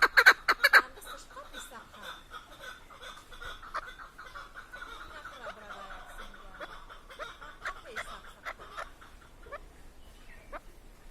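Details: Chukar partridge in Tajikistan; loud opening bursts, then a dense, steady run of overlapping chuckling notes that fades toward the end.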